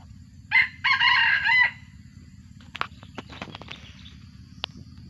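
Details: Crow of a captive first-generation junglefowl descended from wild birds: one clipped note leading into a rough, hoarse, drawn-out phrase that ends abruptly, then several dry ticks and light rustling against steady low background hum.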